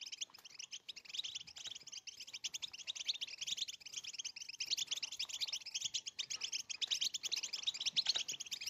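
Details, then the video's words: European goldfinch mating song in the styles called betbeta and setsesta: a dense, unbroken stream of fast, high, tinkling and buzzy twitters that rises and falls in loudness throughout, with no other clear sounds. "بتبتة وستسستة الحسون لتزاوج"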